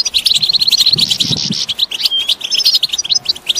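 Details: Close, loud European goldfinch batbata chatter, calls the birds use to signal their location for mating, here to rouse males to sing: quick strings of liquid twitters and trills, one clear whistled note near the end.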